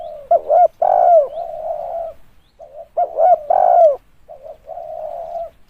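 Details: Spotted dove, recorded to serve as a lure: two cooing phrases. Each has a stuttered double hoot before a long, loud coo that slides down, followed by a softer, level trailing note.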